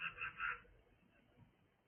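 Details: Cockatiel calling: three quick, loud, harsh chirps in the first half-second, then quiet room noise.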